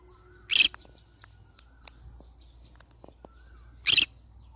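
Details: Pineapple conure giving two short, harsh, screechy calls about three seconds apart, with faint clicks and taps in the quiet gap between them.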